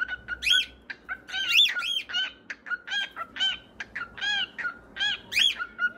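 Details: Pet cockatiels calling nonstop: a fast series of harsh, arching chirps and squawks, about two or three a second, over a faint low hum.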